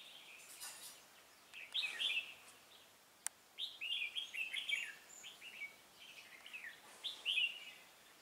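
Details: Decoy red-whiskered bulbul singing at a trap on 16 November 2017, a lively run of bright, bubbling whistled phrases, rising and falling, delivered in quick clusters with short pauses. A sharp click is heard midway.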